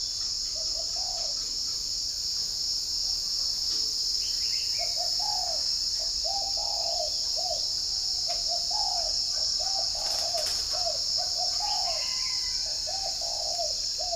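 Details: Morning cooing of a spotted dove at a northern Vietnam bird farm near Ba Vì, Hanoi: after a lone early note, a long run of low, mellow coos repeats steadily for about nine seconds. Shrill crickets drone continuously behind it.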